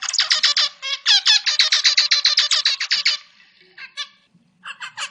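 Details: Song of a captive zebra finch, Taeniopygia guttata, kept as a tutor voice for songbirds: a three-second stream of loud, nasal, buzzy notes at a steady quick pace, followed by a few scattered softer chirps.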